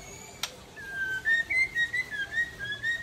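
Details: White-rumped shama of the Murai Aceh type after a midday bath, delivering its learned 'isian' material as a continuous wavering whistled line that rises and dips, preceded by a single sharp click.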